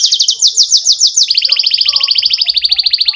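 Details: Canary in full song, used as a lure so young canaries learn to sing in long bursts: a fast, even high trill of sweeping notes, then a quicker, slightly lower rattling trill repeated about three times a second.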